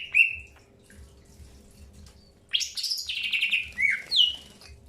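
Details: Greater green leafbird in early pairing, giving a short whistled note, a quiet gap, then a burst of harsh, buzzy downward-slurred notes ending in two sharp whistles.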